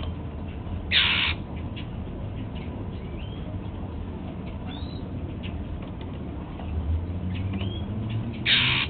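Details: Kept male Golden-fronted Leafbird at breakfast, feeding on apple, gives two short harsh scratchy bursts about eight seconds apart, with a few faint rising whistled notes between them and a steady low rumble behind.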